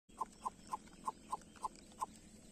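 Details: Two greater coucal chicks give seven short, clipped mid-pitched notes, one roughly every third of a second, over a faint steady background hiss.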